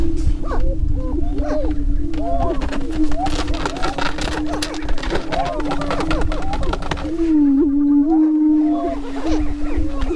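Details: Lek of Greater Prairie-chickens near Crookston in northwest Minnesota on April 27, 2013, in the annual spring mating display: a sustained low drone with dense bursts of short cackling notes, then a louder rising moan near the end.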